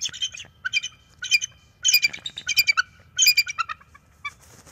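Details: A pair of bald eagles at the NCTC nest on a January 12, 2024 morning, during nest restoration and mating: bursts of high, thin chittering notes in rapid clusters, repeated roughly every half second to second.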